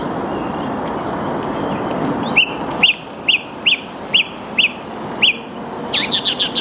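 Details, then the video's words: Song thrush singing in the early morning, 8 March 2022 at 08:10, Saarn-Mendener Ruhraue, Mülheim an der Ruhr, filmed on a Canon EOS R5; a clear whistled note repeated seven times at even spacing, then a quick run of higher notes. "Song Thrush singing / Singdrossel singt"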